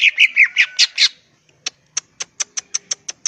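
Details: Greater green leafbird, "gacor" singing: a run of six loud harsh squawky notes lasting one second, a pause, then a steady series of short sharp high clicks about four per second.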